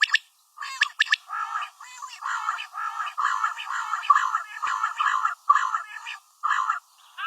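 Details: Female common quail calling: a steady run of short, nasal, slightly buzzy notes, each a fraction of a second long, repeated roughly twice a second after a few sharper notes at the start.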